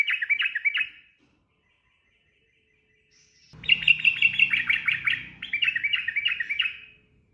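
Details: Ropel song of the sooty-headed bulbul: a quick triple phrase of chattering notes, a silent gap, then a long, rapid, bubbling series of slurred notes over a faint low rumble.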